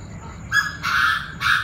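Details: Chinese francolins, several voices, call at 7 pm on 9/18, with three harsh, grating, mid-pitched bursts in quick succession, the middle one longest, over a soft low background hum.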